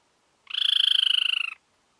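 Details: Pale-bellied Tapaculo (Scytalopus griseicollis), endemic to Colombia, giving a fast, dry trill of about a second, pulsing roughly twenty-five times a second at a high pitch and easing slightly lower. No other sounds.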